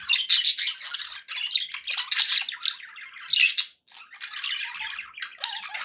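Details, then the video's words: Pet budgerigars in a group give bursts of harsh, scratchy chatter and squawks, loud clusters separated by short pauses, one near-silent gap before the chattering resumes. "1 hour of budgie sounds"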